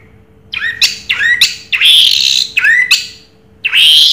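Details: Orange-headed thrush song in the style called Raja Teler: loud, slurred rising and falling notes in short bursts, some harsh and squawky, with brief pauses between phrases and a faint steady hum underneath.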